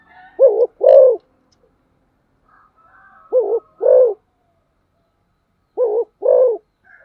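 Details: Spotted dove cooing in the energetic fast thúc gù style. Three pairs of loud, low coos, each a clipped note followed by a fuller one, come about every two and a half seconds with quiet gaps between.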